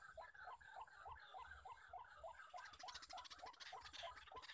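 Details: Male white-breasted waterhens calling all around a bird-trapping spot where many birds are present; rapid series of hoarse croaking notes about three per second, over a constant high insect buzz that gains a pulsing rhythm midway.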